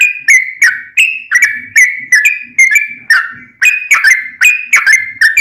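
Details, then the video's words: Sooty-headed bulbul song used as a lure to get other bulbuls singing back: a fast run of clear whistled notes, each sliding down from a sharp upper start, repeated about three times a second. "trucukan gacor ROPEL PANJANG buat pancingan trucukan agar bunyi"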